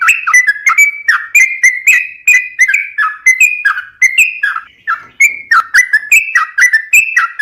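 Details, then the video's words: Sooty-headed bulbul pouring out rapid song meant to set other bulbuls singing: sharp whistles and down-slurred buzzy notes in quick succession, steady and loud. "suara burung trucuk gacor bikin trucukan rajin berbunyi"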